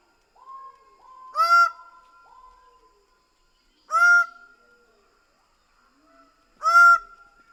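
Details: Greater bird-of-paradise calling: loud, harsh, nasal honking notes, each with a long level tail, repeated at irregular intervals of about two to three seconds, with softer trailing tones between.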